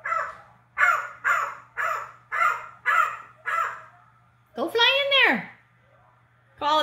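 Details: A 47-year-old pet red-lored amazon, coaxed to give his "speech", utters six harsh, hoarse syllables in a steady rhythm, about two a second, then a long squawk that rises and falls, and starts another.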